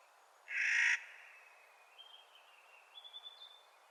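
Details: Clark's nutcracker calling in spring: one drawn-out, harsh, grating note, then thin, high whistles and chips from another bird.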